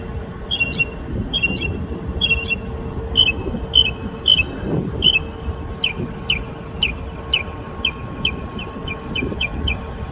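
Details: A Northern Mockingbird perched overhead, singing non-stop through some 35 different calls in two minutes, mimics a cricket with high, dry chirps, about twenty in ten seconds, speeding up toward the end, over a low traffic rumble.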